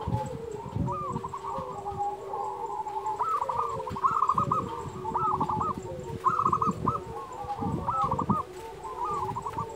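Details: Zebra dove of a local strain, in full song, used for training quiet doves and as a lure. Repeated short phrases of quick, warbling coos run through the recording at moderate volume over low background rumble and clatter.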